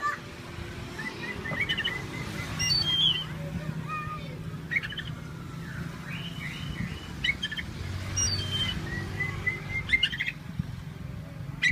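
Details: Caged Oriental magpie-robin, described as cheerful while its cage is shaken, making odd sounds: scattered short chirps and thin whistled notes, a sharp high note near three seconds, over a steady low rumbling background.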